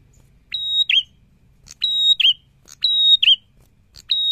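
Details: Rapidly repeated prinia song, about one phrase per second: a flat, piercing whistle followed each time by a short, downward-curving buzzy note. Four phrases, the last cut off.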